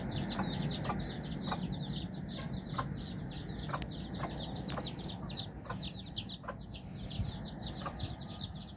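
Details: Mother hen and nine chicks exploring outdoors in Bizkaia, Basque Country; loud, crowded peeps sweep downward in quick succession, punctuated by sharp pecking-like clicks roughly every second, over a low rumble.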